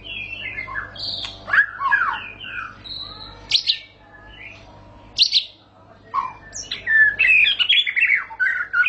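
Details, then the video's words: White-rumped shama delivering ngerol panjang, a long rolling song: tumbling bursts of varied whistles, sharp chips and slurred notes, broken by short quiet gaps, then a dense, rich final flurry. "para raja murai batu ngerol panjang"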